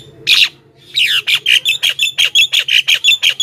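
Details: Javan myna in full, lively song, played to lure wild mynas and prompt other mynas to answer: a harsh squawk, a pause, then a fast series of short, harsh, chattering notes repeated about four to five times a second.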